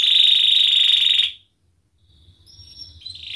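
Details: Canary 'gacor ngerek' singing used as a tutor for mute and young canaries: a loud, level rolling trill for over a second, an abrupt stop and pause, then faint notes resume.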